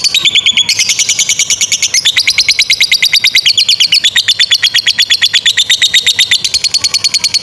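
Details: Lovebird giving a long chattering 'ngekek panjang' song, used as a master recording to train young lovebirds; a loud, rapid, even run of high, sharp chirps at several notes per second that keeps going, stepping between pitches.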